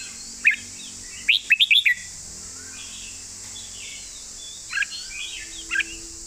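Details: Red-whiskered bulbul 'golden phrasing' master song: a lone sharp whistle, then a fast run of four bright notes, then quieter warbles and two more brief whistles, set against a constant high-pitched hiss.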